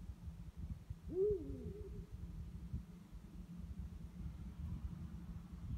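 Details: Eurasian eagle-owl, one of two calling at night; a single arched hoot rising then sliding down, about half a second long, over steady low rumbling background noise.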